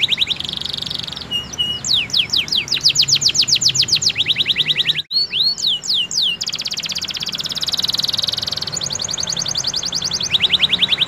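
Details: Domestic canary song used as a pancingan, played daily to prompt other canaries to sing: fast high trills, rapid sweeping whistled notes and buzzy rolls switching every second or two, with a brief break mid-song over steady background hiss.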